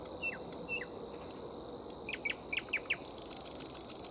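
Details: Nightingale singing while a grey warbler searches tree leaves and flowers for food: two soft whistled notes, a pause, then a quickening series of loud downslurred notes ending in a dry buzzy rattle over steady hiss.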